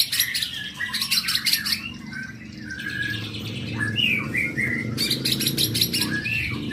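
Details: White-rumped shama, a young bird, singing bursts of high rattling notes interspersed with slurred whistles that rise and fall, over a steady low indoor hum.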